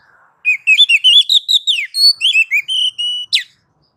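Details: Oriental magpie-robin (kacer) singing on a masteran tutor recording meant to draw replies: a continuous rich phrase of rapid rising and falling whistled notes, steady held tones, and a final sharp burst.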